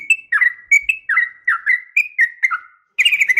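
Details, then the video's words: Female Sooty-headed bulbul calling a male with a sharp fighting call meant to make other bulbuls answer: bubbly, slurred chirps dropping and rising, about eight quick phrases with short gaps, then a denser burst at the end. "trucukan gacor SUARA TARUNG TAJAM ampuh MENJADIKAN agar burung trucuk gacor NYAUT SEKETIKA"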